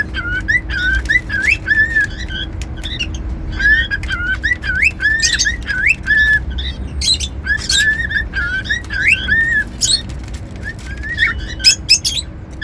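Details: A long stretch of cockatiel whistling, steady series of looping and rising tonal notes with scattered shrill squawks, over a constant low electrical hum.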